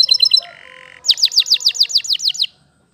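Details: Song of a Waterslager canary: a few quick high notes, a steady lower sustained tone for about half a second, then a rhythmic series of about ten down-curving whistled notes.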